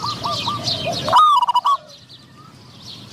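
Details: Spotted dove used as a decoy to draw in wild doves; a single loud stuttered coo phrase after soft background coos and high chirps from other birds, then near quiet.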